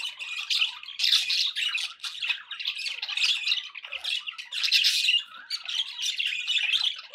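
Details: A group of pet budgies chatter in pulsing waves, bursts of scratchy, squawking warble rising and falling roughly every second without pause.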